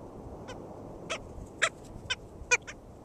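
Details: Black skimmer at a nest in St. George State Park, Florida, on 22 June 2013: about six short, nasal barking notes at irregular intervals, some faint, over a steady low rumble of background noise.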